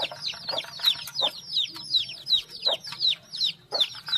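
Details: A brood of chicks calling with shrill, falling cheeps in a fairly even rhythm, about three per second, and occasional soft lower clucks beneath.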